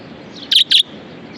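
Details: Pet budgie giving two quick, bright chirps in close succession, high and clipped, with a soft hiss beneath and otherwise quiet surroundings.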